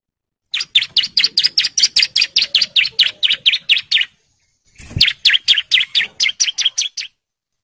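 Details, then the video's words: Male bar-winged prinia in breeding condition calling females, singing a long fast series of sharp chirping notes repeated about four per second in two bursts separated by a short pause. "CIBLEK JANTAN BIRAHI GACOR NGEBREN MANGGIL BETINA KOLONI"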